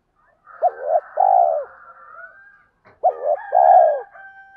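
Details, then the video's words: Lure-call spotted dove cooing in two phrases, each a brief double note then a long falling coo, with a faint higher droning tone running underneath. "Tiếng thúc ( M3 )"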